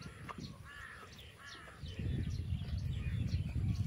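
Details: A crow from a large flock of 30-odd crows over rice fields at sunrise, where buffalo graze, gives two harsh, drawn-out caws about a second apart over heavy low wind rumble and handling noise.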